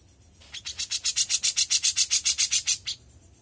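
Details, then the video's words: Young grey-cheeked bulbul singing: a rapid, even series of harsh, buzzy rasping notes that swells in loudness and then stops abruptly. "CUCAK JENGGOT MUDA GACOR"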